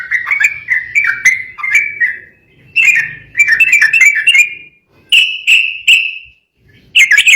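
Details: Sooty-headed bulbul singing emotionally, prompting rivals to answer: rolling warbled phrases, then clear held whistled notes repeated several times, ending with another burst of song; faint low hum in the background.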